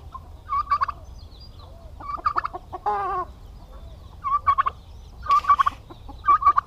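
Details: Rattling gobble bursts from male domestic turkeys kept together on a Paraná, Brazil farm and said to be fierce, interrupted by a longer buzzy, harmonic call and a noisy rasp.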